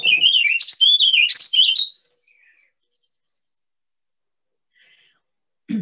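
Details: A male Warbling Vireo, which sings all day from late April to mid-June, gives a fast, rambling, whirling warble of rising and falling notes for about two seconds, then falls quiet apart from a few faint notes and a brief low thump.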